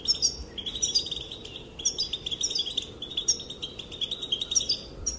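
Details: Goldfinch female calling to get males dancing: steady stream of bright chirps and twittering trills, phrases repeating roughly every second, over a faint hiss.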